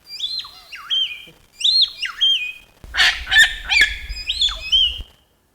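Palm cockatoo giving varied whistled calls, rising and falling slurs, followed by harsher, broken notes.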